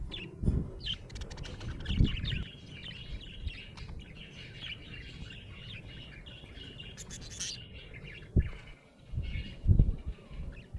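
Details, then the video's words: A happy budgie keeps up a near-continuous stream of quick chattering chirps and warbled twitters for about ten seconds, with occasional louder low knocks and bumps in the background. "Happy budgie chirping sound"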